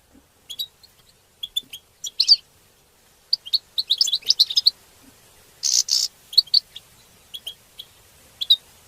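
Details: European goldfinches calling together in the twittering 'betbeta' and 'tastasa' style, used to stimulate other goldfinches and tied to mating; bursts of short, bright, high chirps in clusters, with a brief loud hissing burst near the sixth second.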